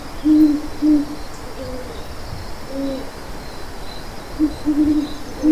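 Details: Owl hooting softly in low, short notes, some paired and some single, spaced unevenly about a second apart over a faint steady background.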